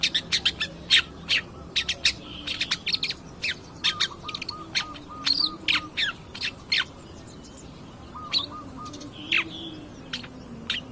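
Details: Lively long-tailed shrike song used as a lure to draw other birds into singing: rapid, varied high chirps and squeaks in uneven bursts, with short buzzy rattles and quieter gaps.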